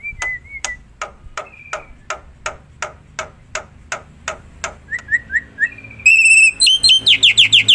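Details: Black-winged myna in the wild, used as a lure sound: a long series of sharp clicking ticks about three per second, with short whistled notes early, then loud repeated buzzy, rising whistled phrases at the end.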